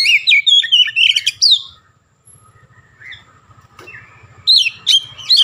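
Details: {'text': 'Oriental magpie-robin in prolific song imitating Javan myna: a fast burst of warbled, squeaky notes, then a quiet pause with soft low murmuring, then another bright burst of shrill chirps.'}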